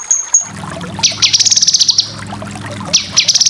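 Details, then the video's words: Song of a cucak kinoy, meant for training contest birds: brief high whistles, then bursts of quick buzzy chattering notes separated by a pause, over a low background hum. "Masteran full besetan cucak kinoy cocok untuk burung lomba"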